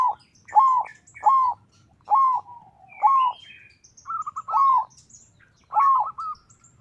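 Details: Zebra dove of local type singing as a lure to prompt rival doves: regular rounded coos with a brief lead-in note, spaced almost evenly about once a second, in a quiet setting.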